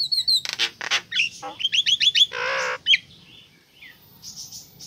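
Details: Female Nias hill myna calling to a male, played to coax reluctant birds into sound: quick clipped notes, a run of bright rising whistles, one harsh buzzy rasp, then fading twitters.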